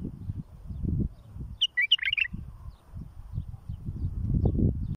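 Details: Bulbul song used for tutoring and raising fledglings: one short burst of bubbly, warbled notes lasting under a second, surrounded by quiet, with low rumbling background noise throughout.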